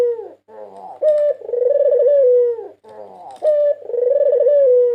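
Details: National champion white Barbary dove from 2022, lure song: two long low coos, each opening with a clear short note, then a trembling rolled phrase easing downward, separated by quieter throaty murmurs.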